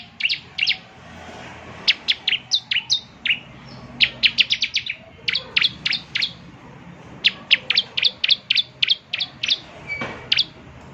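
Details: Bar-winged prinia song for prompting a caged bird to sing, spaced high, sharp chirps, singly and in short quick runs, over steady background noise.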